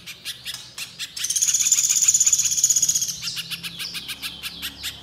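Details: Little spiderhunter song used as a lure to set birds singing: spaced sharp chips, then a fast, dense trilling burst of high notes for about two seconds, then spaced chips again.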